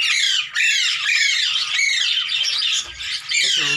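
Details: Hand-tame Indian ringneck parakeet playing with its owner, giving harsh, loud, continuous raspy screeches with wavering tone, nearly unbroken for almost four seconds with two brief dips.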